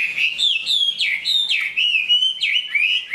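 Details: Chinese hwamei with a large build, known as a fine singer and fighter, in fresh moult. Rich looping whistles rise and drop in quick phrases, each about half a second, over a quiet background.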